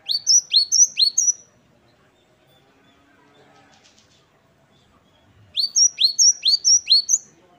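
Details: Great tit (gelatik batu wingko) in lively 'wucit-wucit kristal' style song: bright, high, sharply falling two-note whistled phrases in a quick run of four, a four-second pause, then a second run of five; quiet background.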